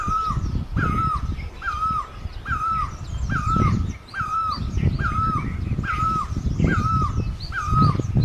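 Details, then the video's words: Great barbet in Asia with a rhythmic series of ten ringing notes, each jumping up then dropping, evenly spaced under a second apart, over strong low rumble and distant high bird chirps. "Great Barbet, นกตั้งล้อ, Pehˇ oˍ, Piˇ oˍ loeˇ, Pi luˇ ma"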